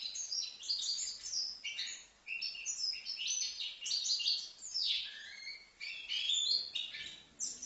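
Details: Five-month-old young goldfinch from Livno in full song: dense, rapid twittering with liquid chirps, buzzy fragments and quick down-slurred notes running almost without a break.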